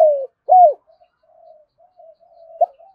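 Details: Spotted dove of the "thổ rền" resonant voice type: a falling coo, then a strong hooked note, followed by faint low murmurs and a brief final note.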